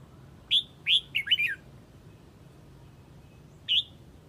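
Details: Huế Red-whiskered bulbul calling to gather its flock: two separate bright whistles, then a quick tumbling cluster of descending slurred notes, and one more whistle after a pause, against quiet low background noise.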